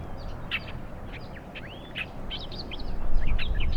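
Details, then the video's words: Australian reed warbler hidden among long grasses and reeds at a lagoon's edge in Morgan Conservation Park by the River Murray, South Australia, singing quick, varied chirps and short whistled slurs, several notes a second, over steady low wind rumble. "Inhabiting the water's edge, where it finds protection amongst the long grasses and reeds, is a bird which will be heard long before it is seen, the Australian reed warbler."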